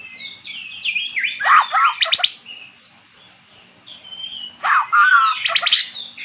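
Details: Magpie-robin, previously mute, singing after hearing recorded magpie-robin song: high sliding whistles followed by loud descending swoops and sharp clustered notes, a quiet gap, then another burst of swooping, chattering phrases.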